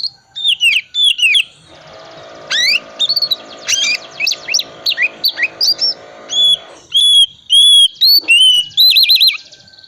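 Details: Oriental magpie-robin, 'tipe dingin' type, singing a lure song full of 'isian' mimicry: clear rising and falling whistles, quick chirps and buzzy trills, roughly one and a half phrases per second, over a faint background hum in the middle.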